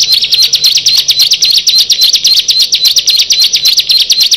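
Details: Six bar-winged prinias (ciblek) brought together sing a loud, shrill, rapid stream of high chattering notes, several a second without a break, several birds singing at once.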